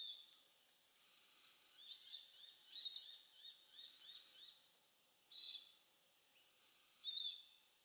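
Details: Glossy black cockatoos, a family with a fledgling, feeding in casuarina trees close to Bournda Nature Reserve, 19 November 2022, 5.30pm; short, high, squeaky calls repeat at irregular intervals, with fainter chattering notes between them.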